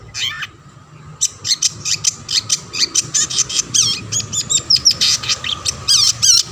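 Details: Long-tailed shrike singing to lure other shrikes into song: a rapid run of sharp chattering notes, mixed with wavering whistled trills and squeaks, loud and nearly continuous.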